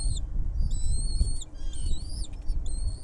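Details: Wild nestlings in a nest as their mother brings food: thin, high whistled notes, some slightly rising then falling, repeat in short bursts over a steady low rumble of background noise.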